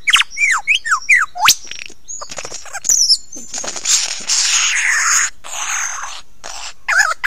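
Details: Lyrebird at Ben Ricketts, 9 AM on 16 November 2022, sings close by. Several ringing downslurred whistles open the clip, then comes a long rushing, hissy passage broken by short clicks, ending on a final swooping note.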